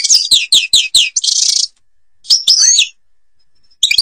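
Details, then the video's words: European goldfinch of the Babors forest, Algeria, singing: quick descending twittery notes, a dense buzzy trill, then a tinkling liquid phrase after a pause, all high-pitched. "canto jilguero argelia"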